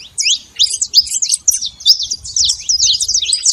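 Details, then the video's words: Many saffron finches at a feeder, a noisy flock chattering together: dense, overlapping high chirps and short twittering phrases that run on without a break, with faint low rumbling underneath. "muito canário da terra fazendo barulho na seva"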